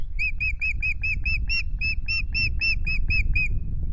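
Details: Osprey calling at a Loch Garten nest in Scotland on 10 May, at the first changeover of an incubating pair with two eggs: a steady run of about fourteen sharp, whistled, slightly downslurred notes over a constant low wind rumble.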